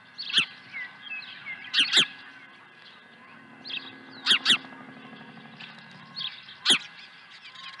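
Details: Osprey at its nest at Dunrovin Ranch on 23 April 2020, arriving with a second fish. Sharp, high yelping calls, often in doubled pairs, come at irregular intervals over soft chirps and whistles from other birds.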